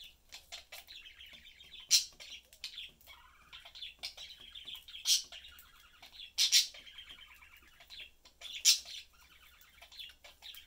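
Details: Pet budgerigar family of three, father, mother and young, chatting while having fun and eating: busy warbled chatter with scratchy trills and sharp clicking chirps, loud squeaky notes bursting out every couple of seconds.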